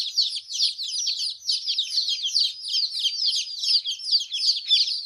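Newly hatched chickens peep constantly, a dense overlapping chorus of high, short chirps from many chicks at once, several every second without pause.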